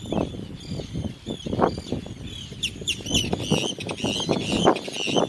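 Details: Several Arctic terns on North Ronaldsay give harsh, grating, high calls that overlap throughout, under heavy low rumbling wind noise.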